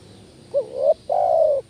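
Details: A spotted dove call played to lure doves that are slow to call: a single phrase of a short bent coo sliding upward, then a longer, even, mellow coo, with a quiet background.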